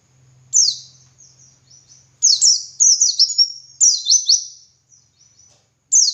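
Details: Dakun white-eye singing ngalas song, a master recording for other white-eyes: a sharp downslur, soft twitters, then a lengthy cascade of piercing high sliding notes, faint low hum at first.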